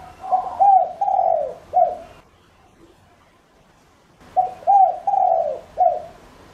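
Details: Spotted dove kept as a decoy, calling to lure other doves: two hoarse four-note coo phrases about two seconds apart, each with a long falling middle note.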